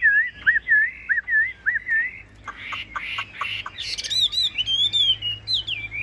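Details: A caged hwamei opens with evenly spaced looping whistles, shifts to short sharp staccato notes, then ends with high, bright warbled phrases.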